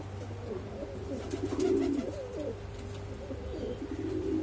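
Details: Exhibition Homer and Shiraji pigeons booming: deep, rolling coos repeated quickly in overlapping bursts, loudest near the middle, set against a continuous low hum and light background noise.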